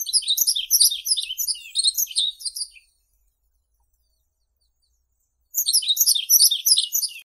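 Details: Yellow-throated bunting (Emberiza elegans), song: a high, fast, twittering phrase of thin chirps, a pause, then a second phrase; no other sounds.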